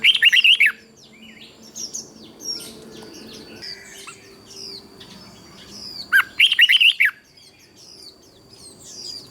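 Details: Caged Thai red-whiskered bulbul giving southern master-style song to stir other bulbuls and teach young birds: two fast bursts of warbled, whistled notes roughly six seconds apart, with scattered soft chirps between.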